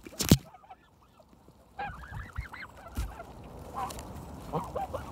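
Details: After a sharp thump, Canada geese at Kirby Muxloe castle in spring break into quick series of arched honks, with further scattered honks from the flock.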